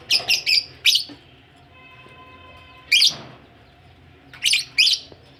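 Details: Budgies ready for laying eggs: a quick burst of three or four rough chirps, then single harsh notes after pauses, with a faint steady tone in between.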